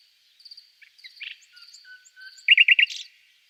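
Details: Soft high chips and a faint low whistle build to four loud, evenly spaced rich notes and a brief buzzy flourish, all part of a nightingale's song.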